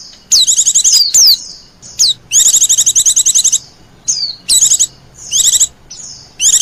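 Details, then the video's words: White-eye lure call for attracting wild birds: bursts of rapid, very high chirps in fast trills, some with sharp down-slurred notes, separated by short pauses, with no other clear sounds. "suara pikat burung pleci liar"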